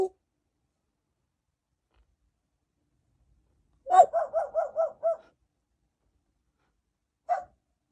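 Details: Female African grey parrot, a feather plucker kept indoors as a pet and watching from a window, coughs in a quick run of five harsh, evenly spaced bursts, then a single short hack after a pause.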